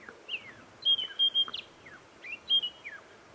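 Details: A White-browed Scrub Robin, a skulker heard but not seen, sings clear, high whistled phrases of flat sustained and quick slurred, falling notes in short bursts on an early-morning safari drive on 10 October 2016 in South African game reserves, over faint hiss.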